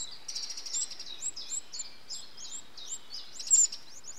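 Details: Eurasian wren nestlings being fed by adults, recorded 8 June 2013: a continuous chorus of very high, thin, squeaky chirps, hooked and sliding, repeated rapidly with a louder burst near the end, over quiet background noise.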